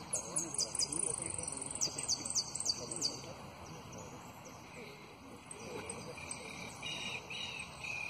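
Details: Runner-up competition jilguero (finch) sings bright, high whistles and fast trills in quick bursts for about three seconds, then softer scattered notes over a steady background hiss.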